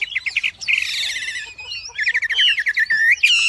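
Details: Wambi singing energetically with quick repeated chirps, a harsh buzzy burst, and trills and rising whistled notes in rapid succession.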